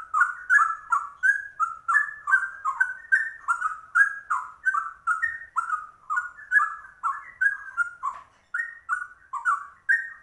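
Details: Straw-headed bulbul singing the rare trucuk style in rapid ropel delivery: a continuous run of rich, bubbling warbled notes, each short phrase rolling up and down, packed almost three per second for ten seconds.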